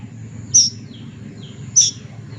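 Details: Young plaintive cuckoo calling with two piercing, high-pitched single notes about one and a quarter seconds apart over a faint low rumble.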